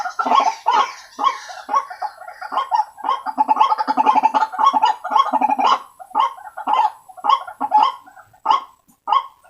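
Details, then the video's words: White-breasted waterhen lure call: a long, uneven chain of rasping, honking croaks, bunched into a rapid stretter in the middle and spaced out toward the end, loud and harsh throughout. "Suara Pikat Ruak Ruak Paling Ampuh"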